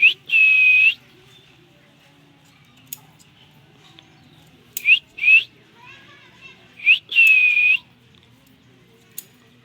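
A ringneck parrot gives clear, high whistles: two long level notes and several short rising chirps, spaced irregularly with quiet gaps between.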